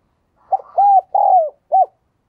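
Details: Spotted dove used as a lure for wild doves, cooing once. The phrase has a stuttered opening note, an arched coo, a long descending coo and a short final coo, all low and hollow.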